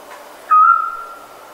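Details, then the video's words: Scops owl giving a single clear whistled note, steady in pitch with a brief sharp onset, fading out over about half a second against a quiet background hiss. "Scops Owl"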